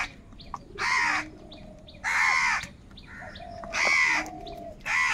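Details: Several crows calling loudly while fighting over food, harsh broad caws of about half a second each coming roughly once a second, with fainter distant bird calls between them.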